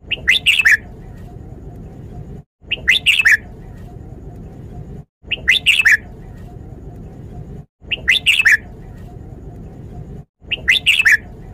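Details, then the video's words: Red-whiskered bulbul training song of the เม็ดก๋วยจี๊หก style for teaching chicks: five identical short whistled phrases, each a rapid cluster of clear notes, at steady intervals of roughly two and a half seconds, with constant low hum between. "เสียงฝึกร้องนกกรงหัวจุก สำนวน เม็ดก๋วยจี๊หก"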